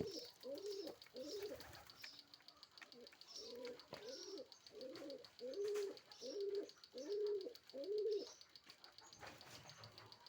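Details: Pigeons in a hot pigeon house, jumping about eager to be fed, give a run of soft, low cooing phrases, each a short wavering hoot repeated about once a second, with a steady high hiss in the background.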